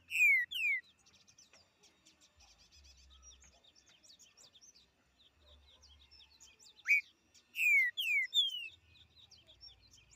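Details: Green-winged saltator singing in the woods in the til til fiu mineiro song style: two loud downslurred whistles open, then after a quiet stretch a short rising note and three descending whistled notes, over soft chattering chirps of other birds.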